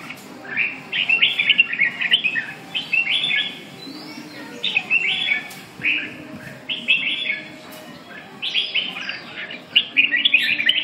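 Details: Red-whiskered bulbul giving a run of short, bright warbled phrases, each a quick cluster of chirpy notes, repeated every second or so throughout with brief pauses, over a low background rumble.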